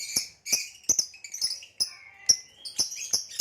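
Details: A caged male green hybrid Nyasa lovebird with a purple rump utters repeated sharp high chirps about three per second, mixed with squeaky chatter.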